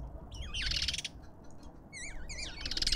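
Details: Lovebirds calling at a feeder in a Pretoria suburban garden, South Africa: a harsh raspy burst, a short pause, then rapid wiggling high squeaks from several birds at once.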